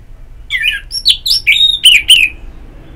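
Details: Loud, rapid phrase from an orange-headed thrush, from therapy audio to stimulate singing: half a dozen slurred whistled notes in quick succession, mixing downward sweeps and higher squeaky overtones, then a trailing fall.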